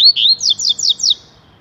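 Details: Short burst of tui tui song from a coleiro: a loud upslurred whistle, then four evenly spaced, sharply falling notes in about one second.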